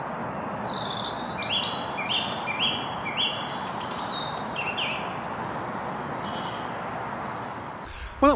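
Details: Song thrush singing in spring near a road in the New Forest, likely to attract a mate and defend territory: short, bright phrases each repeated a few times, with a robin's thin notes and steady traffic behind.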